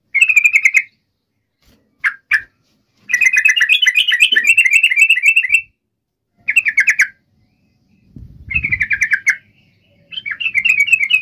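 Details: Sooty-headed bulbul (trucuk) singing as a rival-calling lure: bursts of fast chattering notes separated by silences, with paired short notes and dense rattling phrases.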